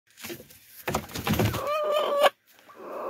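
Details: Chicken making a turkey-like sound: a rough, noisy burst, then a steady, wavering tonal call for almost a second that cuts off abruptly, followed by quieter rustling.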